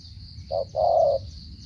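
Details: Single stuttering 'gù cà lăm' coo from a Cà Mau spotted dove: one clipped low note, a pause, then a sustained hollow coo, over a constant faint high hiss.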